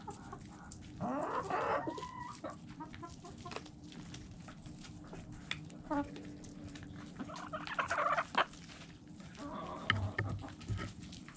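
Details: Chickens eating, with many quick dry tapping pecks at an irregular, rapid pace. A few soft clucking murmurs rise briefly near the start and again later over a quiet background.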